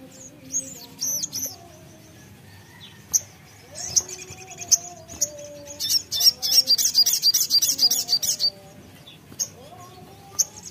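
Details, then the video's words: Ruby-throated sunbird lure song: scattered high squeaks, then a dense, rapid trill of sharp high chips lasting about three seconds, over faint lower drawn-out whistles. "pancingan sogok ontong (sogon) gacor"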